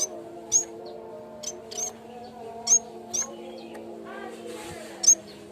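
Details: Yellow-bellied warbler (cikrak bambu) tutor sound for training birds: a handful of thin, very high whistled notes with clicks, irregularly spaced, over a steady low hum and faint rustling.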